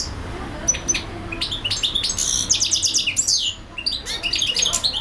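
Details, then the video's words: Singing European goldfinch, non-stop for hours; bursts of bright, high tinkling twitters and buzzy trills, jumbled quick notes with a brief pause before the chattering resumes, soft low hum beneath. "European goldfinch singing/song"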